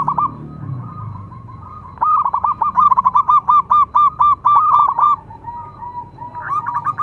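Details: Local perkutut, or zebra dove, in song; a quiet start, then a quick series of about a dozen evenly spaced, resonant coos, followed by a softer tail and a few more coos.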